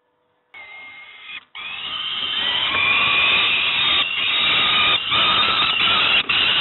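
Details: Young peregrine falcons at Moszna near Pruszków being fed breakfast: after a brief quiet start, one long harsh, rasping scream runs almost unbroken to the end, with a steady low hum beneath.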